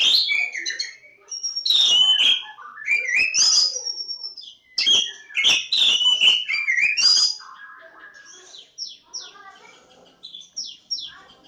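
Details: Kacer Jawa, the Javan Oriental magpie-robin, pours out a loud medley of whistled, slurred and scratchy notes for seven seconds, then turns softer with a series of thin, high, down-slurred whistles repeated quickly toward the end.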